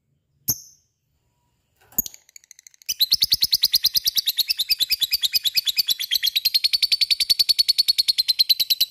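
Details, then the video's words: Lovebird in ngekek, the long chattering song, fighter and gacor style, played to provoke other lovebirds to join in: two sharp chips, then a fast, even, buzzy rattle of about three notes per second running on. "Sekali denger LOVE BIRD akan trpancing untuk ikut ngekek fighter dan gacor"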